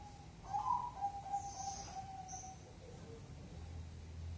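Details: Zebra dove delivering its 5, 6 or 7-beat coo; a burbling start then several evenly spaced soft coos fading out, followed by faint scattered notes and low humming background noise.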